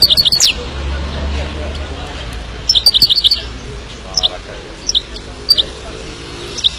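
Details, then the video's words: Himalayan goldfinch giving short bursts of high, rapid twittering chirps, a quick cluster at the start and another near three seconds, then scattered single tinny notes over a steady low hum and faint background murmur. "Kicau Burung Himalayan Goldfinch"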